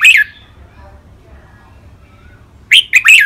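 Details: Caged red-whiskered bulbuls, two birds singing as training song in len rik, boen and lak wai styles: one brief whistled note, a long quiet pause, then two rapid bubbly phrases close together.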